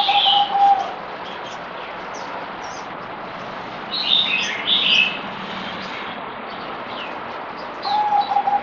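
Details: Merbok, the zebra dove, recorded 17 April 2020 during deworming: short bursts of fast pulsed cooing at the start and end, with higher twittering birds calling in between.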